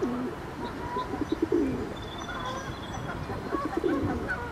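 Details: Ring-necked duck calls: short low cooing notes that bend downward, two stronger ones standing out, plus faint higher whistled notes over steady background noise.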